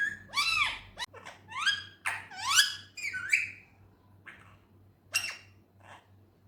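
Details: Indian ringneck parrot talking with arched, whistle-like squeaky phrases that bend up and down, dense at first, then thinning to a few sharp squeaks, over a low constant hum.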